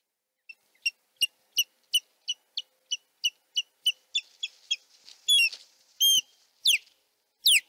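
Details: Male osprey defending its nest on the Chesapeake while the female returns and leaves, morning; a steady series of sharp whistled chirps about twice a second, building into louder, rising and slurred squeals toward the end.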